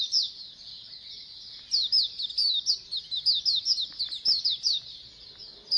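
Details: Oriental white-eyes twittering as a colony to make birds sing keenly: soft high chatter at the start, swelling into a lively run of rapid sharp downslurred chirps from several birds.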